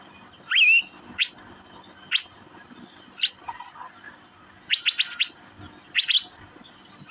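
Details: Chirping Asian fairy-bluebird: spaced single sharp notes and one rising liquid whistle, then two quick clusters of chirps. Faint high ticking is heard in the background.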